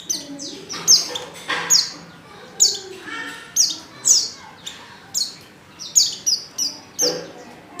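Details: High, sharp chirps from a female white-eye in heat, calling to a male, coming in quick irregular bursts with faint background murmur.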